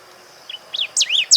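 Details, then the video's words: Golden-billed saltator song recorded in Esperanza, Santa Fe, Argentina, in 2020: a short phrase of clear, high whistled notes that dip and rise in a quick sequence, each louder than the last, over a faint steady background hiss. "Cantos de pájaros Pepitero de collar"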